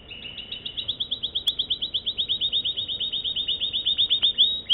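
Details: American Singer canary song: a fast, even trill of rapid rising chirps repeated about twice a second, steady in pitch and ending on a brighter note, with one brief click.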